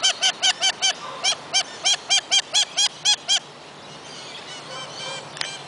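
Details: A wild lorikeet in forest at Kioloa, Australia, gives a quick run of about fourteen harsh, nasal notes, roughly four a second. Fainter calls from other birds follow in the background.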